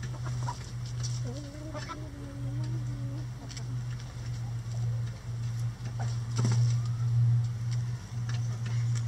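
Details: Chickens kept busy by a cabbage ball hung in their run; one long, wavering, nasal call lasting about two seconds, then faint clucks and pecking sounds above a constant low hum.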